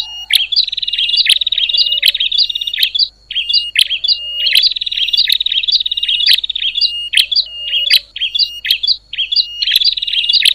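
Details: Bar-winged prinia giving noisy calls said to stir up other prinias: long rapid high chattering trills broken by short sharp whistled notes and clicks, two main trill bursts with scattered single notes between, no other sounds.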